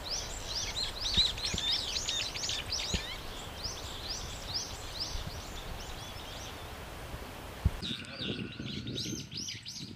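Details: Several brown-eared bulbuls crying loudly in a flowering cherry tree while taking nectar; dense, overlapping screechy upslurred notes in a continuous chattering stream, with light rustling underneath.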